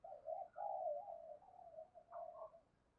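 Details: Decoy spotted dove calling in the local 'giọng thổ' voice style: a run of low, mellow coos, the middle phrase drawn out and steady, ending in a slightly higher, softer pair of notes.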